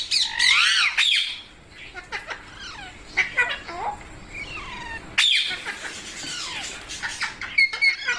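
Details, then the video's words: Domestic parrot indoors producing loud burbling squawks, then quieter chattering notes and falling whistles, with a second loud harsh burst midway and short chirps at the end. "Funny Parrot Sounds"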